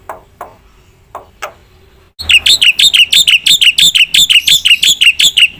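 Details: Black-winged myna singing gacor with full isian. A few faint clicks precede a loud, steady series of short whistled notes that dip and rise, repeated roughly three times a second.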